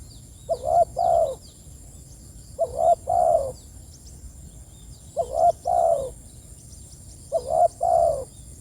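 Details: Spotted dove calling its companions: four soft two-part cooing phrases, a short rising coo then a longer falling croo, repeated roughly every two and a half seconds, with faint high chirps of other birds and a steady high hum behind.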